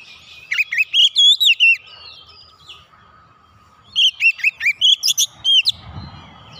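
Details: Oriental magpie-robin singing, used to set a silent bird singing again. Two quick, looping whistled phrases about three seconds apart, with a faint steady tone beneath and a brief low thump at the end.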